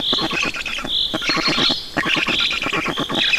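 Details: Black storks in Estonia begging at feeding time, 5 June 2019: insistent, fast, grating pulses topped by repeated drawn-out squeaky wails, steady throughout.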